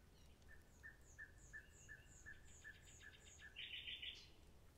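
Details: Common nightingale phrase of about ten evenly spaced whistled notes, each with a high sliding overtone, ending in a loud rich burst, over faint low noise.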